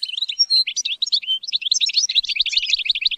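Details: European goldfinch being trained to sing, kept for rearing; a rapid run of twittering, buzzy notes between mid and very high pitch, densely repeated without pause over a few seconds, nothing else audible.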